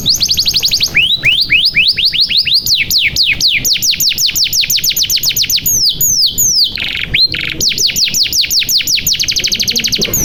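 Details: Energetic 'gacor' canary song played as a lure to get stalled or young canaries singing: long runs of rapid repeated sweeping whistles, a few buzzy rattles midway, then another steady rolling trill of high slurred notes.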